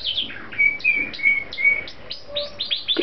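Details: A pet talking rainbow lorikeet gives rapid, high, squeaky chirps, some sliding downward, mixed with brief thin whistles at an uneven pace of about two or three per second.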